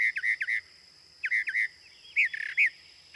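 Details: Northern Mockingbird song: quick trios of clear whistled upslurred notes, repeated twice, then a different burst of harsher rising notes, showing the phrase repetition before changing, with faint background noise.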